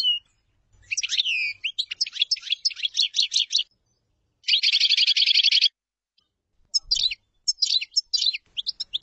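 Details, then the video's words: Common chaffinch song: a long stream of sliding whistled notes, then a dense, even trill lasting over a second. After a pause come quick clipped notes. No other clear sounds. "تغريد تبلاط"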